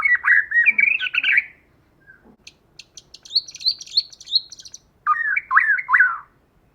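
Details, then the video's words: Female white-rumped shama used as a lure bird sings rich whistled warbles, then a run of rapid ticking notes with higher chirps, then a short burst of swooping whistles after a brief pause. "Choè lửa hót giọng rừng"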